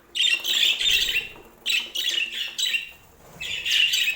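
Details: Domestic budgerigar chatter as a sleep aid, here in distinct bursts: three loud runs of scratchy, warbled high notes, each about a second long, separated by short quiet gaps.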